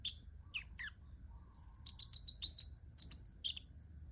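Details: Pet parrotlet making cute sounds: sharp high chirps, then a run of rapid, evenly spaced high tweets with short pauses, ending in a single thin note.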